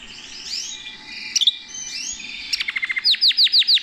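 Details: Canary sings perched in someone's hand, moving from a soft, blurred warble with a few sharp clicks into a rapid series of bright, descending high whistles.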